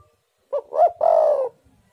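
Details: Lure call of a spotted dove for wild birds: one low, mellow phrase of a short lead-in note, a swelling middle note and a long level coo trailing downward, with quiet background.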